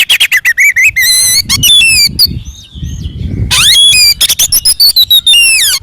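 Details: Oriental magpie-robin's combative full song, used to goad other magpie-robins into answering. Quick sharp chips and bright whistled slurs pour out rapidly, briefly broken by a quieter gap.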